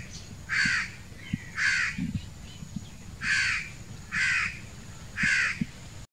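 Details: Little and big crows, the young begging for food: five hoarse caws spaced about a second apart with a gap midway, set against steady low rumble and faint tapping sounds.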